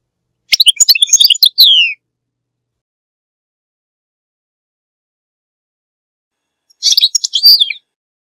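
Goldfinch song: two short bursts of bright, high, liquid twittering with quick tinkling notes, separated by about five seconds of silence.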